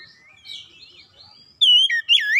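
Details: Oriental magpie-robin (kacer) used as lure therapy for a bird that rarely sings. Soft wavering whistles come first, then a brief loud burst of rich, warbling whistled notes near the end.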